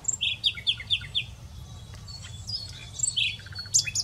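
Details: Common nightingale singing: a run of about five rapidly repeated, sharp down-slurred notes, followed by scattered varied chirps and a few high, clear whistled notes toward the end.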